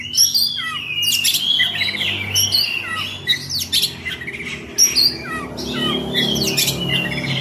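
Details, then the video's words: Caged oriental magpie-robin singing indoors, heard as loud varied whistles, rapid trilled phrases and harsh squawky bursts delivered in bouts, with a low hum underneath. "KACER NGOBRA"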